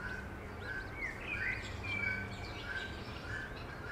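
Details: Eurasian coot adults and seven chicks, Beverwijk, the Netherlands: soft, brief peeps repeated roughly every half second, broken by a couple of louder rising whistles, with distant chirping and a constant low hum.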